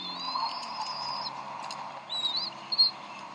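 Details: Bald eagle at the Decorah nest on 26 April 2012, mother feeding three eaglets around 7:50 pm CDT; a long high whistled note, then short thin squealing chirps near the end.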